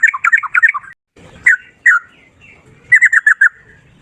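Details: Sooty-headed bulbul singing loudly with rolling phrases: a quick run of bubbly warbled notes, two single fluty calls, then another rapid run of clear whistled notes.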